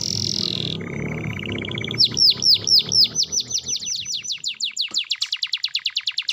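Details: Canary in top singing form, played to prompt quiet canaries to answer: a low rumbling start, then a fast buzzy trill, followed by rapid repeated sweeping whistled notes falling in pitch, several per second, ending in a quicker even series.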